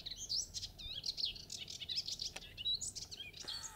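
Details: Melodious warbler singing in the French countryside of Mayenne on 30 May 2022 at 11:28, recorded handheld at full zoom: a fast, chattering stream of varied high twittering notes and warbled phrases, with a few clicks.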